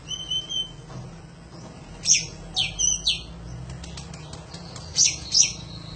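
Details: Kacer (Oriental magpie-robin) in panjingan-style 'gacor' song used as a training recording: a steady whistled note, then harsh rasping bursts and short whistles grouped in twos.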